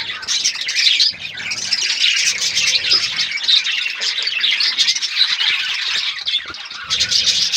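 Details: A colony of captive-bred budgerigars chatters nonstop in high, scratchy chirps and warbles that overlap into a dense, buzzing chorus.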